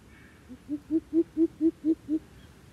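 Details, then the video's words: Coucals fighting each other like chickens; one gives a series of eight deep, hollow hoots, building in strength then steady, about four per second, with no other sounds. "Bìm bịp cự nhau như gà vậy"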